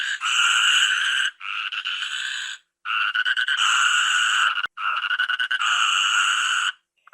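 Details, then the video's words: Toucan, a tropical forest bird of South America, giving grating croaks: sustained buzzy, rattling phrases one to two seconds long, repeated after brief gaps, loud and unaccompanied. "SOM DE TUCANO"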